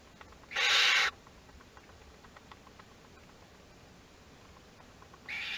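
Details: Théding nest box of Western barn owls, second brood hatching, 22 August 2021. One loud rasping hiss, then a long quiet stretch before another begins at the end.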